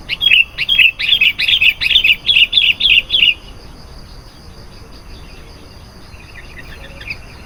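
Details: Sooty-headed bulbul singing actively as a lure for wild bulbuls: a quick run of about ten bubbly, clear chirps over three seconds, then near silence with faint distant notes.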